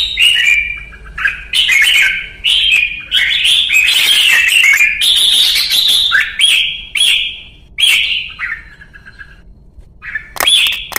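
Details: Red-whiskered bulbul (chào mào) in Vietnam, singing in the trained style called 'luyện ché': bright whistled warbling phrases, rising and falling, repeated in bursts separated by short pauses, with clean, quiet surroundings.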